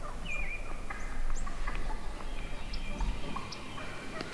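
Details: Wild turkey hens within a huge morning flock give clear yelps and clucks, some drawn-out and wavering, others short and sharp, many birds overlapping at varied pitches.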